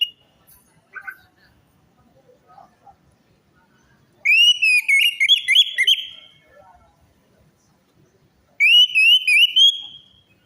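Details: Orange-headed thrush song used as a lure to coax a silent or stressed bird into singing: two loud bursts of clear, rapid whistled notes with warbling inflections, separated by a quiet gap with faint soft sounds.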